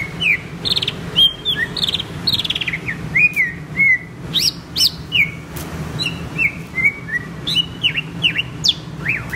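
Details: Greater green leafbird singing a varied run of clear whistled notes and slurred chirps, rising and falling sharply, delivered in quick bursts with short pauses, over a steady low hum.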